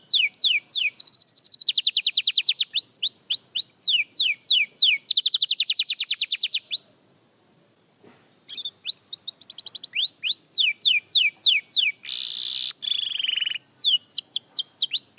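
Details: Practising young canary delivering long rolling trills of rapid repeated notes mixed with sweeping whistles, a short pause midway, then more trills and a brief harsh buzzy note before the rapid phrases resume.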